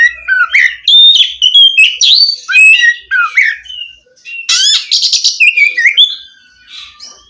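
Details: Oriental magpie-robin singing energetically, used to coax a silent bird into song: rapid varied whistled phrases, slurred notes and a harsh buzzy burst midway, continuous for several seconds.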